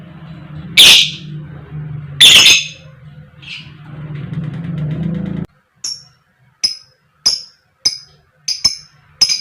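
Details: Female fighter lovebird giving koek koek calls meant to lure other lovebirds into singing: two loud harsh squawks over a low steady hum, then a run of short, high, clipped chirps spaced roughly every half second.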